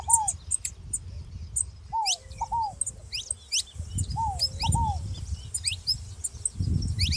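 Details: Saffron finch making noise with a ground dove nearby: thin high chirps and rising slides between repeated double lower downslurred notes, over steady low rumbling background noise.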